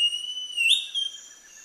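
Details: A Northern Schiffornis at Chan Chich Lodge, Belize, in April 2015, gives a clear, drawn-out whistle near one pitch that lifts briefly into a slurred upturn before fading. No other sounds intrude.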